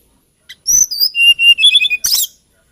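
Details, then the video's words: Hill blue flycatcher, a small songbird from Kalimantan and Java, giving a brief, melodious run of pure whistled notes sliding downward, closed by a buzzy burst. "TLEDEKAN GUNUNG KICAU MERDU BURUNG ASLI NUSANTARA"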